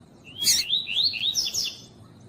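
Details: Double-collared seedeater (coleiro tuí-tuí), a female calling to stimulate a male: a sharp high burst, then a rapid run of rising, slurred whistled notes, with harsh broadband chips mixed in.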